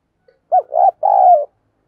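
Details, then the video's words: Single phrase from a caged decoy dove luring others: a quick low note, a wavering coo, then a longer, steady coo that drops slightly at its end, with no other sounds. "Chim Cu Mồi Thúc Gù Bài Bản Sung Chuẩn Kích Bổi"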